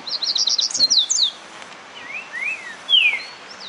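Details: Rusty-collared seedeater warming up to sing: a fast series of high repeated chip notes, then several clear slurred whistles, some rising and some falling, spaced about half a second apart.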